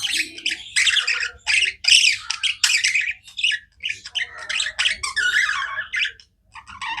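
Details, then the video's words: Non-stop budgerigar chirping, loud scratchy chattering phrases and squeaks packed closely, a flock-like jumble of buzzy and whistled notes. "Budgies non stop chirping sounds"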